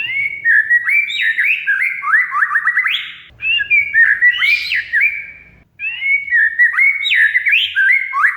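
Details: Oriental magpie-robin (kacer) song used to coax a silent bird into singing: continuous loud, varied phrases of chattering notes and rising whistles, in three bursts separated by brief gaps, with a faint low hum beneath.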